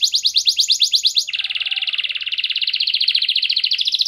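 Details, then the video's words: A prolific canary sings clearly to prompt other canaries to sing: a bright, rapidly repeated chirping phrase gives way to a long, dense, slightly rising trill. "KENARI GACOR SUARA JERNIH, PANCINGAN KENARI MACET AGAR CEPAT RAJIN BUNYI"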